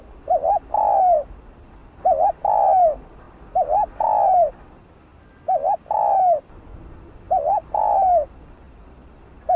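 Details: Spotted dove cooing meant to lure wild doves: steady phrases of a quick wavering two-part note and a longer downward-sliding coo, recurring roughly every two seconds.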